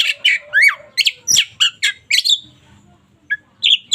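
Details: Local Indonesian white-rumped shama singing for song training: rhythmic series of loud sweeping chips about four per second, a brief quiet gap, then renewed notes.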